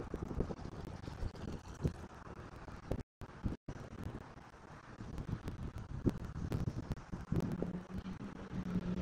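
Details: Gusting wind buffets the microphone, with scattered knocks and a low steady hum toward the end, and no animal calls.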